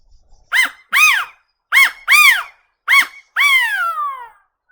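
California quail giving three loud, nasal two-part calls: a short clipped note, then a longer arched one. The final note is drawn out and falls away. No other sounds.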